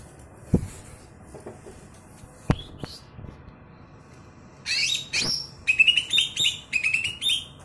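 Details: Caged greater green leafbird, a former contest bird with a loud voice, starts with a few clicks and taps, then launches into a fast run of high, twittering, chirping phrases.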